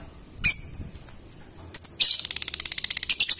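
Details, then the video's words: Lovebird performing ngekek, the long trilling song: one shrill chirp, a pause, then a fast rattling burst of piercing high notes that speeds into a continuous trill. "Burung Love Bird Ngetik dan Ngekek Panjang"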